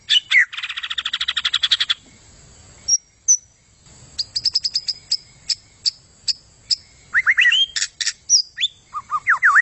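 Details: White-rumped shama in spirited song: a rapid rattling trill of repeated notes, then sharp high ticks spaced apart, and quick descending whistled phrases at the end.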